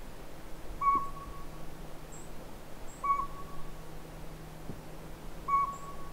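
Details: Repeated single toots from a northern pygmy-owl at Sea to Sky Gondola, three level whistled notes roughly two seconds apart, with faint high chips and a low hum behind.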